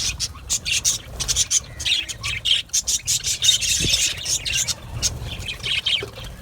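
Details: A colony of Australian budgies in an aviary chatters in pulsing bursts of high, harsh chirps and squeaks, with a low background rumble.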